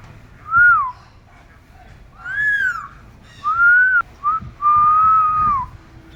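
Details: A pet parrot whistling back in response to its owners: five clear, pure whistled notes, some arched up and down, one long and nearly level, separated by short pauses in a quiet room.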